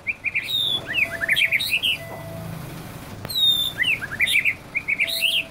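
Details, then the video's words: White-rumped shama, easily agitated, singing quick bright warbled phrases of short looping and slurred notes, with a thin high whistle at each phrase start, over steady low background hum. "Murai batu mudah emosi"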